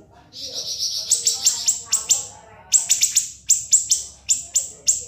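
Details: Cage-bird siri-siri singing ngebren: a buzzy high trill opens, followed by crisp, evenly spaced piercing chips repeated several times a second, used as a master for murai batu, kacer and cucak ijo.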